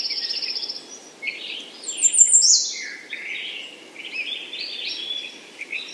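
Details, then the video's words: High-pitched American redstart calls, with scattered thin chirps and short buzzy trills, one brief louder descending phrase midway, then softer broken notes over steady faint background noise. "American redstart Calling"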